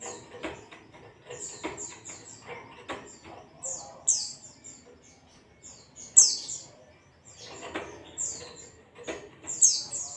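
A white-eye gives thin, high, sharp chirps in quick bursts, some slightly slurred, with soft thumps and fluttering between them.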